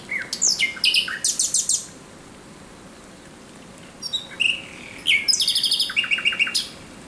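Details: A thrush nightingale sings at night on 17 May 2023, delivering varied whistles and rapid repeated notes, a silent pause, then a second phrase ending in a fast series of clipped chirps.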